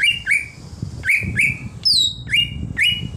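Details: Greater green leafbird in wild-style ngalas song: clear whistled notes that rise then hold steady, repeated roughly every half second, mixed with high sharp downslurred whistles and a low rumbling background.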